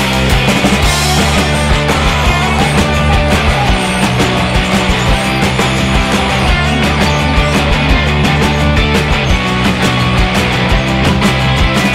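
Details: Loud, dense rock music fills the whole stretch, with heavy bass and drums and no animal voice standing out.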